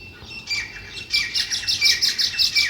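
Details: Sparrow chirps in a rapid, even run, bright high notes repeated several times a second after a softer start.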